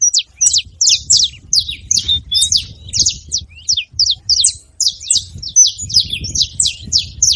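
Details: Group of saffron finches calling together: dense run of sharp, high descending chirps, nearly continuous and overlapping, with faint low background rumble.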